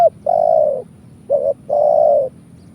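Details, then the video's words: Spotted dove giving a lure call used for trapping birds: three low, hollow cooing notes, long, short, then long, each fairly flat in pitch, in a quiet recording with a faint low hum. "Suara Burung Tekukur kuk 1"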